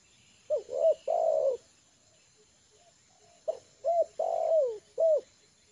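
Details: Trained spotted dove, settled and comfortable on the ground, cooing as a lure call: two soft low phrases about three seconds apart, each with a short note, arched coos and a longer falling coo, over a constant thin high hum.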